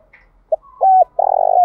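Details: Spotted dove calling as a decoy to draw out and challenge rival doves: a clipped note, a steady coo, then a long vibrating trilled coo ending in a slurred drop, softer doves faintly audible.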